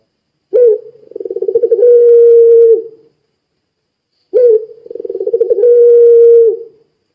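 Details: Two full song phrases from a puter pelung dove, played to make other doves sing: each starts with a sharp low note, rolls through quick throbbing pulses, then holds a long steady hoot. The phrases come about four seconds apart.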